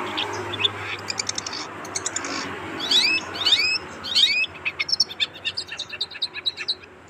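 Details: Kept pet long-tailed shrike singing constantly in the mriwik style: thin, high chirps and quick upward-slurred whistles in short bursts over a steady low hum and background noise.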